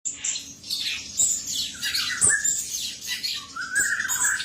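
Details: Male cucak cungkok singing: bright chirps and twittering notes high up, with a few lower whistled phrases, in loud irregular bursts.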